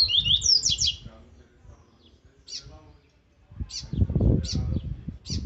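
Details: Strong Laranjeira-type Viviti Zel Zel song from an aggressive rusty-collared seedeater, for training: an opening flurry of high slurred whistles, then isolated sharp chip notes about once a second over low rumbling and thumps.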